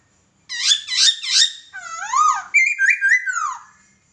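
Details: Laughingthrush singing a master song used for training birds: three harsh, buzzy chattering notes, then a wavering whistled slur and a rapid series of bright, warbling whistles fading out.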